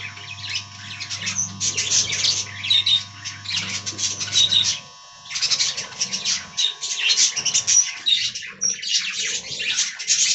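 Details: Budgerigars in a colony aviary give a continuous wash of high chirps and squeaky warbling from many birds, with a steady low hum and faint tonal machine whine in the first half.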